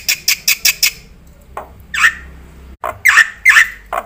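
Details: Black-winged myna song with varied phrases, used to lure and tutor other birds; five quick high notes, then a pause and harsh, squawking, downslurred calls spaced irregularly.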